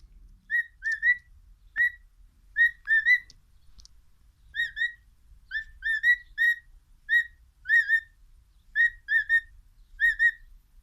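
A cockatiel whistles a tune of short, clear, rising and falling notes in repeated phrases.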